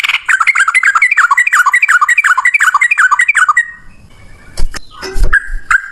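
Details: Yellow-vented bulbul singing a long rapid fighting song: quick, bouncing two-pitched notes repeated about three per second for several seconds, then stopping amid handling knocks and a few scattered notes.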